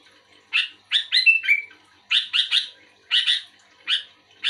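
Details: Actively singing sooty-headed bulbul answering another bulbul: bursts of two or three rasping chirps, one ending in a short level whistle, separated by brief pauses.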